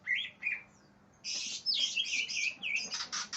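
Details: Greater green leafbird singing aggressively as if seeking an opponent: brief whistled notes, a pause, then a dense run of harsh buzzy bursts mixed with slurred falling whistles.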